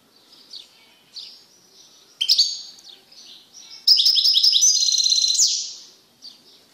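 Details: Caged male European goldfinch, separated from the female canary it mated with, gives soft scattered chirps building into a loud, rapid trilled phrase of repeated notes lasting about a second and a half.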